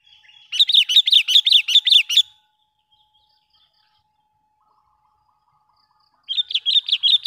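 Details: Sooty-headed bulbul lure call used to attract wild bulbuls: a rapid burst of about ten sharp, chattering chirps lasting under two seconds, then silence, then another chattering run beginning near the end.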